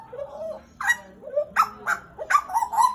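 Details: Pied butcherbird kept as a pet for roughly two years, Papua, Indonesia: mellow low whistles followed by sharp, upswept harmonic notes repeated several times, ending in a quick cluster of bright twangy notes.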